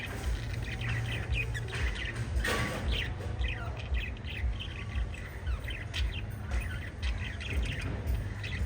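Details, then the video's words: Five lovebirds keep up continuous chirping and squawky chatter, with many short, high notes repeating about twice a second and one louder harsh burst, over a steady low hum. "Five Little Lovebirds Chirping Sounds"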